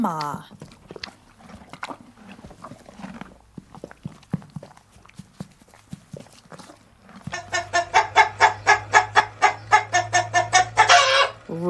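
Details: Rooster in a children's farm-animal lesson: after seven seconds of faint scattered sounds, a loud harmonic crow of rapid pulsed notes runs about four seconds, ending in a drawn-out rise, over a low steady hum.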